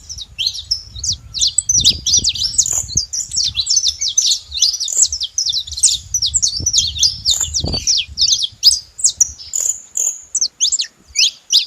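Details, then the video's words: High chirping from a saffron finch: a long, dense series of quick, piercing notes and brief rising and falling slurs, steady throughout, with faint low background thumps. "Canário da terra fazendo barulho"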